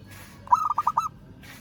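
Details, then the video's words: Local zebra dove calling out to a rival, giving one fast stuttering series of about five soft, mid-pitched coos lasting around half a second. "Perkutut Lokal Suara Memanggil Lawan"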